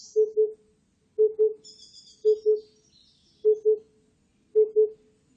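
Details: Oriental cuckoo giving low, hollow doubled hoots, 'poo-poo', each pair repeated about once a second, five pairs in all; faint high twittering of another bird drifts in midway.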